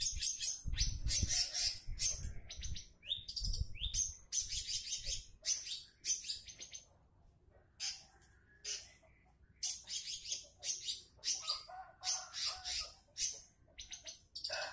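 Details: A long-tailed shrike's fast, rambling song of harsh chatters, scratchy bursts and high squeaky notes, about two or three phrases a second, with some low rumble early on; used as a lure to get other shrikes singing.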